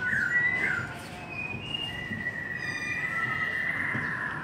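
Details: White-rumped shama song of soft, long drawn-out whistles, one held steadily for more than a second, over a constant background hiss.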